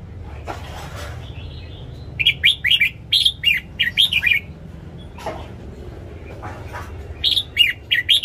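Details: Red-whiskered bulbul kept in a cage, singing its morning song for training other birds: faint scattered notes, then two runs of quick chirpy warbles, the second ending in bright rising notes, with a low rumble beneath.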